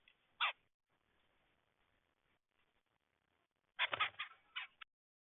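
Red-headed woodpecker: one harsh, raspy note, a pause of about three seconds, then a quick cluster of four or five grating calls.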